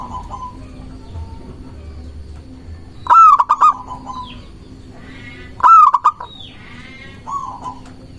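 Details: Local zebra dove song used to draw in and challenge rival doves: two loud staccato phrases of clipped ringing coos roughly two and a half seconds apart, with softer rolling coos between and after.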